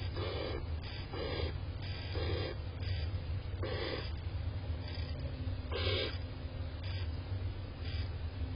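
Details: A barn owl (Tyto alba) gives short, breathy hissing snores, repeated about every half to one second over a steady low rumble.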